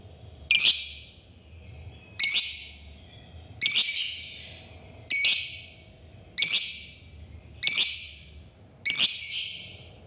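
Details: Fighter lovebird giving its 'ngetik' calls, used to stir other lovebirds into singing: seven harsh, buzzy high squawks, each brief and evenly spaced about every one and a half seconds, with quiet gaps between.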